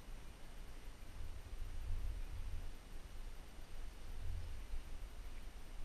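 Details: Near silence at dawn, with only a soft low rumble and faint hiss and no animal calls.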